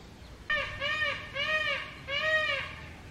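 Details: Indian peacock screaming loudly from a house terrace: four loud, nasal, wailing notes with rich harmonics, each slightly arched in pitch, given in quick succession over about two seconds against a quiet background.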